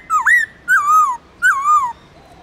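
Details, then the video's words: Wild-style song of a white-cheeked laughingthrush from the Central Highlands, Vietnam, played to coach young birds: three drawn-out, wavering whistles, each dipping then rising then slowly falling, spaced about half a second apart. "Luyện khướu bạc má Hót Giọng Rừng kích khướu hót cực sung/khướu Tây Nguyên hót giọng rừng âm dài rõ"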